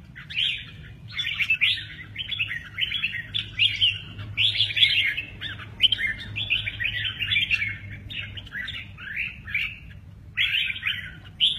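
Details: Red-whiskered bulbul singing the style called "mơ ché nẹt" while displaying its wings; a long run of short, rich warbled phrases, each a quick rising-and-falling whistle, following one another with brief gaps, over a faint low hum.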